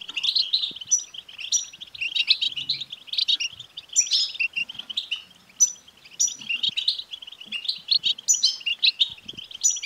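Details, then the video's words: European goldfinch song used to stimulate a caged male goldfinch to sing: dense, rapid liquid twittering with tinkling high notes and short buzzy trills, near-continuous throughout, with brief soft low thumps in the background. "بتبتة لتحفيز الحسون سوف يكسر القفص لأن دكر الحسون لن يصمت دقيقة واحدة بعد سماع هده البتبتة"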